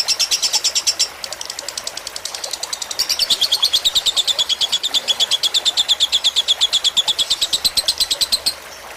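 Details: Fighter-style lovebird tutor recording with running water for relaxation: a short burst of high chatter, a brief pause, then a long even series of sharp chirps about three a second that stops near the end, water hissing throughout.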